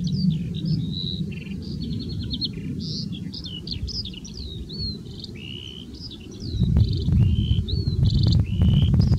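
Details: Red-throated pipit (Anthus cervinus) in Upper Silesia, April 2024, giving a steady run of thin, high, sibilant notes with short trills and buzzy slurs, over a strong low wind rumble.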